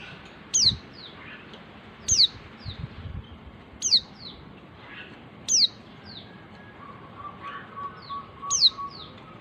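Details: Female white-eye calling to the male, a small bird about 11 cm long, kept as a songbird. Five high, thin whistles, each sliding downward, come about every one and a half to two seconds. Softer short notes trail each whistle.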